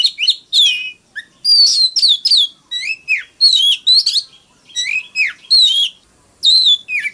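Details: Oriental magpie-robin delivering fighting song, full varied phrases of looping whistles, dipping slurred notes and crisp chirps in quick succession with short gaps between.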